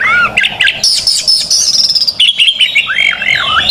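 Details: Oriental magpie-robin, a fighting bird singing vigorously as a tutor to train young birds: loud looping whistles, then a long high sustained ringing phrase, then rising and falling warbled notes, close and clear.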